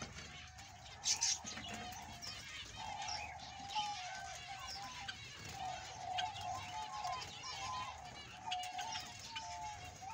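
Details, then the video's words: Australian budgie, a male, chattering steadily in quick squeaky upward and downward chirps, with a sharp high burst near one second, set against a constant mid-pitched drone and low background noise. "BEAUTIFUL AUSTRALIAN BUDGIE PARROT MALE"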